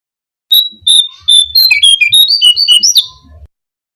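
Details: Song of the brown-cheeked fulvetta, used as a lure to attract birds: a phrase of clear whistles, steady level notes giving way to rapid up-and-down notes that climb to a rising final whistle.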